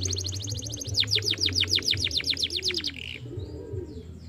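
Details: Canary song meant to prompt a young canary into singing: a quick high trill followed by a run of loud, steeply descending sweeping notes repeated about every tenth of a second, ending in softer chirps; low background hum.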